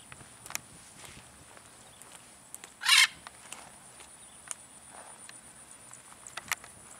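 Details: A single military macaw in free flight gives one loud, harsh, raspy squawk of about a third of a second midway through, over a quiet outdoor background with faint ticks and clicks.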